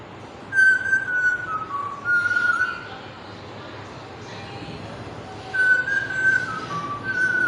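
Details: Pet parrot whistling the Bollywood film song "Kuch Kuch Hota Hai": a clear, pure melodic phrase of held and stepping-down notes, sung twice with a quiet gap between, over soft room noise.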